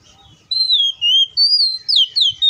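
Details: Oriental magpie-robin singing in the wild: a sequence of loud, pure whistled notes, some level, some swooping down, repeated in quick clean bursts against a quiet background.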